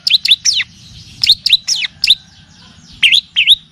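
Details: Long-tailed shrike (cendet, pentet) tutoring and lure song, used to train birds toward a varied song: loud sharp chirps swooping down then up, in quick pairs, with short pauses between bursts.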